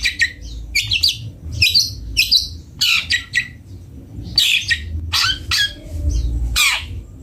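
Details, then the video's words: Long-tailed shrike (cendet bondol) singing: a varied run of short, sharp chirps and squeaky notes in quick bursts with brief pauses, with a faint low hum underneath. "Suara merdu burung cendet bondol"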